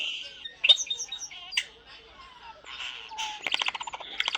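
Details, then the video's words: Pet common starling, a talking bird, chattering at home: squeaky whistles, clicks and harmonic warbles run together with rapid rattling bursts near the end, mimicking speech-like phrases. "Talkative bird @Tweeters the talking Starling"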